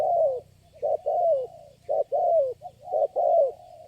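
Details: Spotted dove answering a lure bird at a trapping location where it is the only one calling: clear, low, hollow coos, each short note leading into a longer sliding-down coo, repeated steadily.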